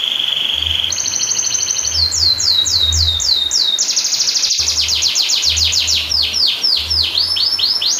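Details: Canary song played to train and stimulate silent canaries, long-roll style: a held buzzy note, a rattling trill, swooping whistled sweeps, then a rapid dense roll and more sweeps.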